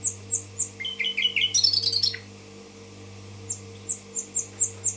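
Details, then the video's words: Song of a common nightingale from Tashkent: spaced high piping notes, then a rapid rising trill and dense buzzy rattle, then more evenly repeated high pips, with constant low hum behind. "соловей гафиза булбул ташкент"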